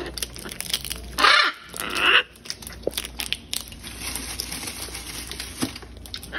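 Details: Wild macaws feeding on peanuts and fruit on a balcony during chick-rearing season, some carrying food to their young: two loud, harsh, raspy squawks, with crinkling and tearing sounds of food handling around them.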